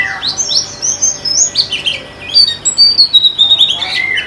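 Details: High thin warbling of a pleci (white-eye) for song therapy: drawn-out sliding whistles and light twitters over a soft hiss, fairly even in loudness.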